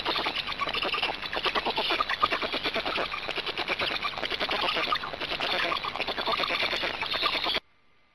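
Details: Hungarian black storks feeding, 26 May 2019, 18:53: a fast, pulsing rasping chatter repeated several times a second for over seven seconds, then cut off abruptly into near silence.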